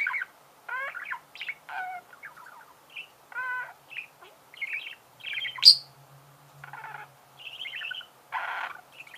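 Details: A pet budgerigar (Melopsittacus undulatus) chirps and chatters in a rapid, varied stream of high chirps, scratchy buzzes and short warbled notes, with hardly a pause across nine seconds.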